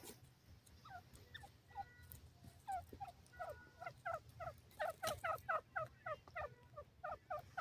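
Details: Caged grey francolin calling, a quick series of short, sharply dropping two-part notes about four per second, starting faint and growing louder and steadier, over a low constant hum with scattered clicks.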